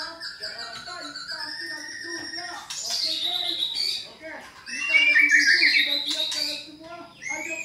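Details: A white-rumped shama's song for provoking a caged bird to reply: gently rising whistled phrases, a burst of scratchy notes, then a loud, sweet rippling trill and a few clipped whistles.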